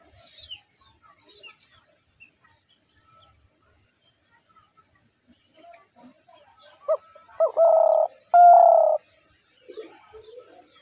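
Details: Long quiet stretch with faint scattered sounds, then a dove's cooing phrase near the end: a short rising note and two drawn-out, level coos.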